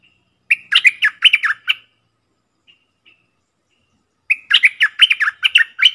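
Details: Decoy bulbuls, four birds, 'from the real forest', recorded 31 July 2021: two bursts of loud, bubbly, warbled notes, about eight quick phrases each, separated by near silence with a couple of soft single chirps.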